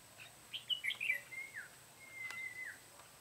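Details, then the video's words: Red-whiskered bulbul used as a decoy while trapping in Vietnam, recorded 14 July 2016: a short phrase of quick, bubbly whistled notes with slurred rises and falls, then a thin sustained whistle, over a steady background hiss. "Bẫy chào mào má trắng"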